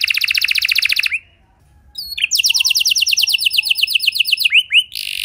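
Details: Lure song of a canary meant to set other canaries singing: a fast rolling trill, a short silence, then a long steady buzzy trill ending in two rising whistled notes.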